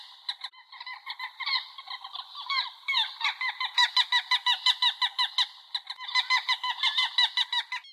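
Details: Gulls giving rapid, evenly repeated nasal notes, several per second, with a steady, insistent rhythm throughout.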